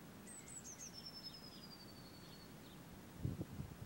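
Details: A garden blue tit gives its spring territorial song: a few thin, very high notes, then a long, slowly falling whistled note, over steady low rumble and a brief thump near the end.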